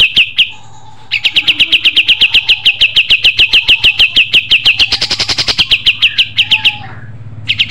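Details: A pied triller's natural song as a training recording: a sustained trill of rapid sharp notes running for nearly six seconds after a short opening phrase, with a quiet low hum.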